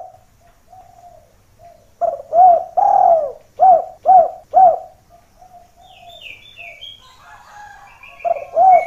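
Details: A spotted dove coos hard as a lure that calls other doves to come close, seeking the rival. A series of five rolling coos follows a soft opening coo. Thin, high chirps from another bird come later, then one more coo.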